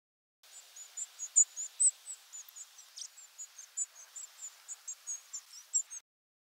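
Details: European Robin nocturnal migration flight calls compiled from two nights: a rapid series of about twenty thin, very high, sharp tsee calls, each differently shaped, strung closely together over quiet hiss.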